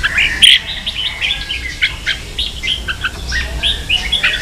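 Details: Training song of a red-whiskered bulbul, 'ché' style: a sharp loud note near the start, then steady busy chirping and warbled phrases of varying pitch.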